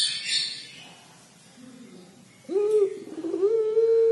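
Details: Puter pelung collared dove giving its 'crying' call: after a quiet, hissy start, a low, hoarse coo rises sharply, then settles into a long, steady, mellow note.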